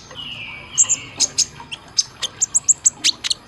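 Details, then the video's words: Caged-bird training recording of a kolibri ninja sunbird: a drawn-out whistled note falling slightly, then a fast series of piercing high chips and sharp upward squeaks. "Isian Tembakan Suara masteran kolibri ninja konin Gacor Tajam"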